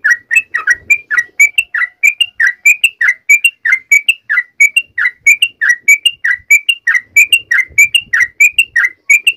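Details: Sooty-headed bulbul calling to its companions with a steady, unbroken run of short bright whistled notes, alternating lower slurred and higher clear tones about twice per second, in a quiet setting.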